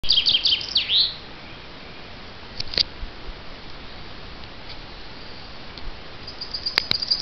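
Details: Chaffinch singing: the closing part of a phrase, a quick run of high, sliding notes that drops into a final flourish within the first second, followed by quiet with a few faint notes later.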